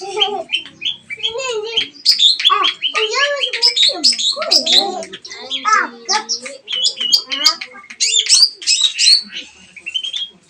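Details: Long-tailed shrike song played as a lure to get a silent shrike singing: a fast, jumbled medley of harsh chattering, squawky notes and short whistles, with lower warbled phrases early on and sharp high notes packed densely throughout.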